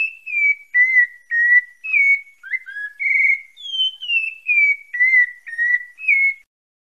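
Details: Pale-breasted thrush (Bahia, Santa Fé) delivers a run of about a dozen short whistled notes. Most slide downward, several step through a lower dip, and the phrase ends with a return to bright high whistles, all crisp against silence.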